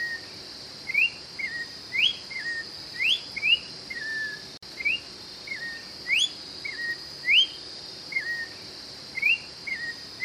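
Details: An orange-backed troupial (Icterus croconotus) in Brazil sings loud, clear whistled phrases, each a quick rising note then a lower slurred one, repeated about every second over a steady high insect hiss; song used to stimulate and attract.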